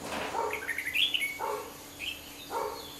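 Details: Red-whiskered bulbul near a house giving a short run of quick chirping, whistled notes that peak mid-phrase, with a dog barking three times about once a second and a faint steady hum behind.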